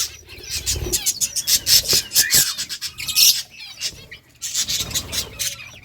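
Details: Budgerigars playing during summer breeding time, a colony giving dense, rasping high chatter in rapid bursts, quieter around the fourth second, over low rumbling noise.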